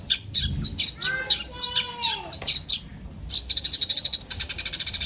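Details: Eurasian tree sparrow calling with irregular high chirps and chatter, with descending whistled slurs mid-way, ending in a quick, even burst of rapid chirps.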